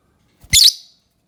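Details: Lovebird uttering one loud, abrupt, high-pitched squeaky chirp lasting under half a second, with silence on either side.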